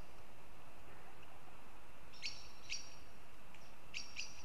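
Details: In Riga, Latvia, a goshawk calls after a silent start: two separated hard notes, then a quicker cluster of three, with steady background hiss throughout.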